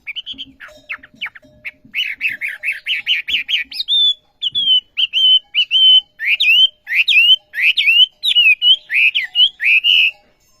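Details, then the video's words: Olive-backed sunbird (wambi) in strong song: rapid high chipping notes speeding into a regular trill, then a long series of repeated high whistled phrases, some hooked upward, roughly twice per second, with faint low taps early. "New Burung Wambi Gacor Khas Sekali Kicauanya"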